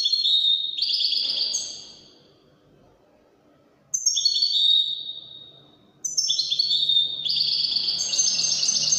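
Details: A Widani European goldfinch gives three phrases of bright, fast twittering and ringing trills, separated by pauses of about two seconds, with faint low background noise.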